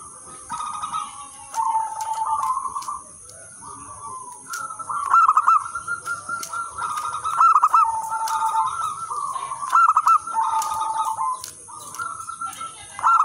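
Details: Energetic local zebra dove song meant to lure and train other zebra doves: long runs of soft, trilled cooing that rise and dip slightly, several voices overlapping, with a constant thin electronic hum behind.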